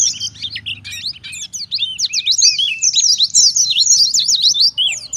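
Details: Oriental white-eye lure song, pleci ngalas style from a wild bird, meant to make other white-eyes answer; bright high twitters and looping whistles run almost without pause, growing louder toward the end.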